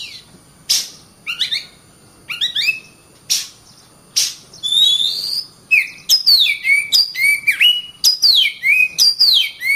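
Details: Oriental magpie-robin song: sharp clicks and short chirps are scattered through the first half, then give way to an unbroken run of bright, falling whistled notes.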